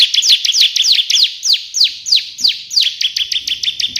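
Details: Bar-winged prinia (ciblek) in active full song, delivering the burst style known as tembakan in the manner of the white prinia, used for tutoring. Sharp, downward-sweeping high notes pour out rapidly, about three per second, in an almost continuous string.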